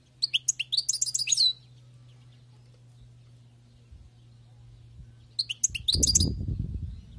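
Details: European goldfinch, wild-caught, sings a fast, tinkling twittered phrase, falls silent for several seconds, then sings again while low thumping noises start up.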